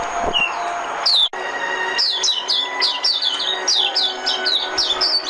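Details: Oriental white-eye decoy song: a rapid stream of high, thin chirps, each dropping in pitch, packed close together in a lively twittering run over a steady low hum.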